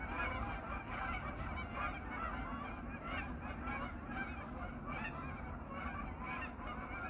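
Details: In autumn, several hundred geese come back to a pond each evening and call through the night. Here overlapping honks pulse constantly, with sharper individual calls popping out over a rumbling background.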